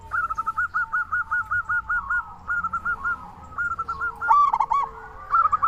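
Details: Local zebra dove in lively song to prompt other doves: a long string of about ten quick even coo notes, softer trills, then a loud rich rolling phrase and closing coos.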